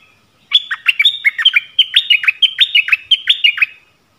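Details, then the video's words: Decoy song of a yellow-vented bulbul, used to attract wild birds. It is a lively, bubbling chatter of short warbled notes that fall and rise, delivered rapidly and without pause for about three seconds. "เสียงต่อนกดอกแตง Ep.37 นกป่าถึงกับ งง!! Burung merbah kuning"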